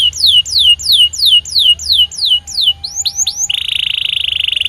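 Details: White canary singing: a fast run of about ten bright, downward-swooping whistled notes, a few quick rising chirps, then a dense, high, buzzy rolling trill held to the end.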